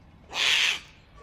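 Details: Sulphur-crested cockatoo outside a home in Australia, one of a flock making loud noises, gives a single harsh, rasping screech about half a second long.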